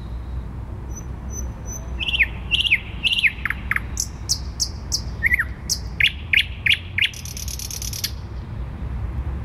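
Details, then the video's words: Warsaw city-centre thrush nightingale, recorded 12 May 2020, delivering piping whistles, clusters of slurred chirps and sharp clicking notes, finishing with a harsh buzzy rattle, steady urban background rumble throughout. "Słowik Rdzawy śpiewa w centrum Warszawy"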